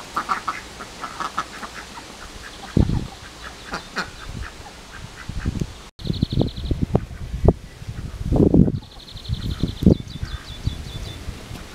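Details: Runner ducks on a visit, a series of nasal quacks and low grunting notes repeated irregularly over the clip, with thudding handling noises, brief gaps, and a small bird's high chirping in the background.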